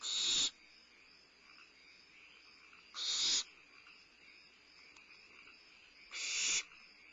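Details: Barn owl owlet at Starr Ranch, 22 May 2011, eating at midnight; three loud harsh hisses roughly three seconds apart, each abrupt and breathy, over a faint steady background.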